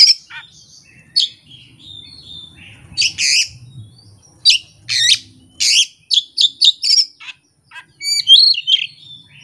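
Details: Kept Oriental magpie-robin singing its learned repertoire without master recordings or a rival: a varied run of high whistles, sharp chirps and rapid trills, some slurred notes, with short pauses between loud phrases.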